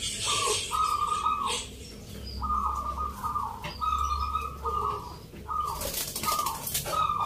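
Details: Competing local zebra doves at a Mentaraman rhythm-song contest, Yogyakarta, on a Sunday in November: a string of short, evenly spaced trilled coo notes, about a dozen, with crowd chatter and bursts of noise behind.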